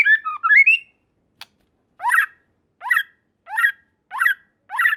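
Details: White-rumped shama song, meant to draw a response from other shamas. A few quick rising whistles open the phrase. After a pause come harsh, chattering notes repeated about every 0.7 seconds.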